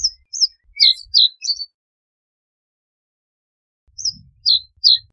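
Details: Reed bunting delivering a series of high, slurred chirps in a stuttering phrase, a pause of over two seconds, then three more spaced chirps. A faint low rumble sits beneath.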